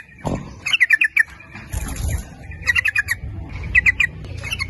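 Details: Lure song of a sooty-headed bulbul, aimed at calling in males and females, delivered in the nguplik ropel style: three quick bursts of bubbly, warbled notes spaced about a second apart over a steady low-pitched rumble.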